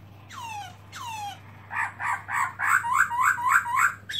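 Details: A black-throated laughingthrush (Garrulax chinensis) showing open tail, 2017, utters two long falling slurred whistles, then a rhythmic series of rich bubbling notes at roughly four per second, over a low steady hum.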